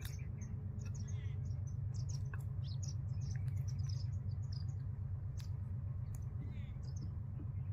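Jungle babblers give harsh, squeaky chattering notes in quick irregular bursts over a steady low hum, likely an engine or machinery.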